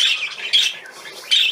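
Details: A male budgerigar gives short, sharp, high chirps in quick bursts, three brief squeaky notes spaced about half a second to a second apart, with a person talking softly nearby.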